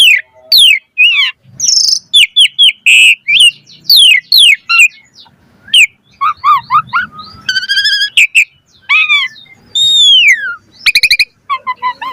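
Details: Asian pied starling in a pumping-style (mompa) song with full variation, a tutor recording meant to make birds sing; loud varied whistles, falling slurs and harsh buzzy notes in quick bursts, with short pauses between phrases.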